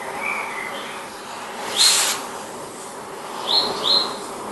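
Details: Palestine sunbird giving a few short, high, upslurred notes, one early, then a close pair near the end, with a brief noisy burst midway over soft steady background hiss.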